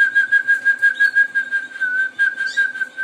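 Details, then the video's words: Harz Roller canaries: one sings a low, steady, rolling trill, softly pulsing about three times a second, with no other sounds. "Kanarki harceńskie"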